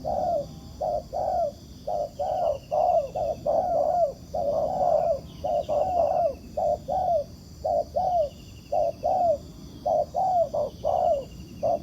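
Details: Wild spotted dove, described as a fine cooer with fighting spirit, answering a ground decoy during trapping; a long series of paired short and drawn falling coos repeated steadily for about twelve seconds, with faint chirps from another bird.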